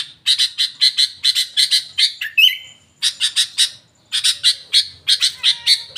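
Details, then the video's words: A Sooty-headed bulbul whose song includes Yellow-vented bulbul phrases delivers a rapid run of harsh, chattering notes, about three a second, broken by one brief clear whistle and a short pause. "kutilang isian trocok"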